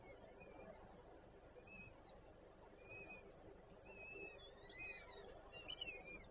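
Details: Peregrine falcons at a nest with three chicks in Żerań, Warsaw, Poland, on 25 April 2024; thin, high whistled notes, some slurred downward, come in loose series over steady city hum.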